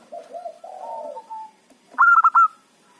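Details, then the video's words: Local zebra dove, a lively lure bird for trapping rival doves: soft wavering low coos, a short pause, then one loud phrase of four clipped, stuttering notes. "perkutut lokal gacor pancingan ampuh suara keras kecil cocok untuk pikat lawan"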